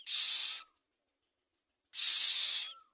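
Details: Common myna feeding young: two harsh, breathy hisses about a second and a half apart, each trailing off with a faint low whistle.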